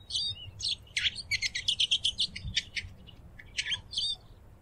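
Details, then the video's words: Eurasian siskin delivering a dense rapid twitter, a fast run of high chirping notes about three per second, then scattered calls and a faint low note, with soft background rumble. "EURASIAN SISKIN SONGS Spinus Spinus Singing"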